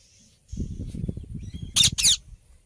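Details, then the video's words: Ringneck parrot letting out two loud harsh screeches over a patch of low rustling and handling noise, with faint high chirps before. "Ringneck Parrot Cute Natural Video"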